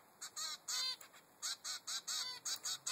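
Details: Young zebra finch, three weeks old, begging its mother for food with rapid, repeated nasal calls, roughly three or four per second, some slightly longer and drawn out.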